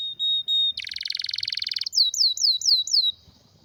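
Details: Canary singing a strong, rare song: a steady high whistle, then a fast buzzy trill, then five clear downslurred whistled notes repeated about every quarter second.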